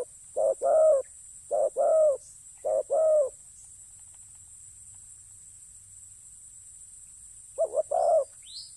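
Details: Spotted dove in a ground decoy-trapping setting, giving low cooing phrases, each a short note followed by a longer rolling coo, three phrases in quick succession then one more after a pause, over a steady faint high hiss.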